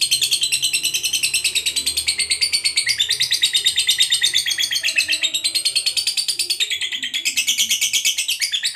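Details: Lovebird fighter giving a long ngekek trill to provoke other lovebirds: a continuous, rapid, shrill high-pitched chattering trill held without a break for about nine seconds, the pitch shifting slightly up and down.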